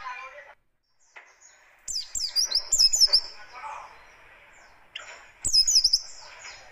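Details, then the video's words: Buxtoni Oriental white-eye delivering rough, quick-fire 'tembakan kasar' phrases as lure and tutor material: two bursts of shrill, rapidly stuttered high whistles with a quiet pause between them and faint low background sound. "Tembakan Kasar Buka Paruh Burung Pleci DaKun"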